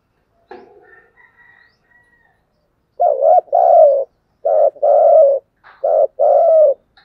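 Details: Spotted dove cooing continuously in the thúc gù style: after a few faint high chirps, three paired notes follow, each a short throbbing coo then a longer, slightly falling coo, in otherwise quiet surroundings.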